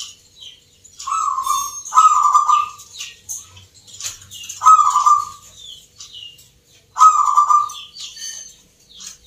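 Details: Local zebra doves (perkutut lokal) at a singing contest in Yogyakarta, Indonesia, judged on the Nglagu Ngepat Mentaraman rhythm style. Loud, rolling, throaty coos come in bursts every one to three seconds, with many high chirps from other birds around.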